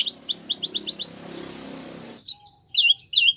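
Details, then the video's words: Canary singing for training: a quick series of short rising chirps, then a stretch of low hiss, then a few separate sharp upward notes. "Canary Bird Sounds | Canary Training"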